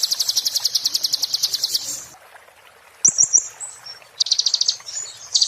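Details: Oriental white-eye (konin) singing in the 'muntah beling' style, offered as tutor material for magpie-robins and shamas: rapid high buzzy trills of evenly repeated notes, a pause, then short twittering phrases and further chattering trills.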